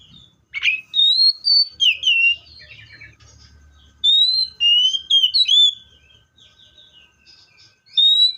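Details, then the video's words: Song of a Seychelles magpie-robin: a loud whistled series of four or five notes, a quiet gap with a soft low hum, then another varied whistled phrase and a last single note at the end. "COPSYCHUS SECHELLARUM BIRDS SOUNDS LIKE IN NATURE LOUD CLEAR SOUNDS"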